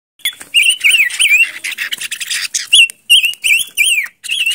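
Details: Silver-eared mesia singing: a quick run of rich, warbled whistles that rise and fall in looping phrases, several notes a second, with short pauses between bursts and faint high chatter behind.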